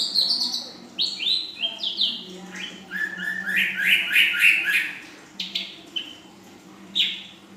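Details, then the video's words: Young female ashy drongo performing full isian song with nembak panjang and belalang emas elements: dense, rapid mix of descending whistles and harsh buzzy bursts, slowing toward the end into single sharp calls. "Srigunting Abu Paud Betina Full Isian"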